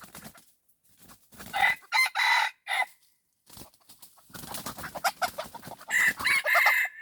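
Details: Red junglefowl crowing during decoy hunting meant to lure wild junglefowl: a short harsh multi-syllable crow in the first half, then a longer run of loud crowing with ringing high tones, broken by rustling and handling noise.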